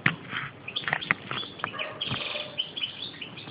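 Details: European goldfinch calling while feeding: short high chirps and brief twittering notes scattered irregularly, mixed with sharp clicks and tapping.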